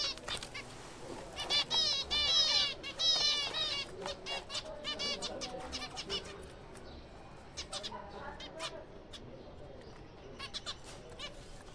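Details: Zebra finches in a captive breeding colony in April. A dense burst of nasal, harmonic-rich calls overlaps from about 1.5 to 4 seconds, then scattered short calls and clicks follow over a quieter background.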